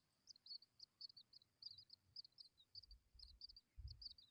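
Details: Hungry Tawny pipit chicks: a rapid series of short, thin, high chirps repeated several times a second in bursts, with soft low thumps and rustling beneath.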